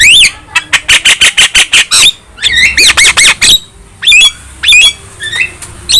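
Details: Javan myna, young and singing strongly with nodding display: a fast series of about a dozen short harsh chatter notes, followed by looping whistled slurs and scattered squawks with brief pauses.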